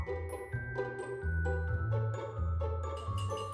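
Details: Bright mallet-percussion music like marimba and glockenspiel over a low bass line, with no animal sounds.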